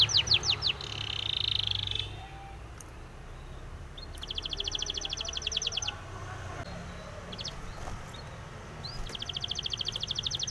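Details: Spanish timbrado canary training song heard in separate bursts: short rolling trills and a buzzy phrase separated by pauses, over steady background noise and faint clicks.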